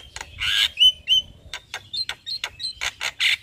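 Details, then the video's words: Javan myna singing vigorously through its full repertoire by day in front of a house: harsh creaky bursts and short whistled notes near the upper-middle pitch, about three or four notes per second, uneven rhythm, faint low rumble beneath. "Suara Burung Jalak Kebo GAcor Bongkar Isian Siang Hari Di Depan Rumah"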